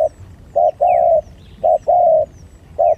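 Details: Fighting spotted doves give low cooing: a brief note followed by a longer held coo, the pair repeated roughly each second, faint chirps of other birds in the background.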